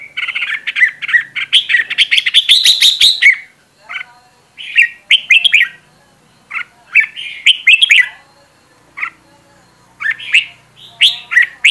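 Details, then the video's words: Caged red-whiskered bulbul used as a training decoy, opening with a long dense burst of tumbling whistles, then spaced phrases of bright, rising notes. "Luyện Giọng Chào Mào Mồi - Chào Mào Giàn Đạt Căng Lửa"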